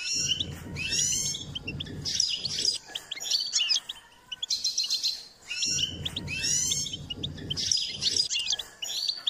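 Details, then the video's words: A goldfinch being trained to sing gives a fast, tinkling run of high twitters and buzzy trills, pausing briefly between phrases, over bursts of low rumbling. "goldfinch’s singing"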